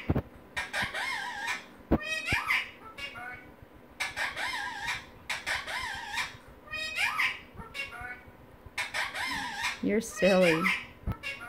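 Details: Male pet Indian ringneck parrot playing with and talking to his toys, producing bursts of high, harmonic, speech-like chatter with wavering pitch, separated by short pauses, alongside clicks from the toys.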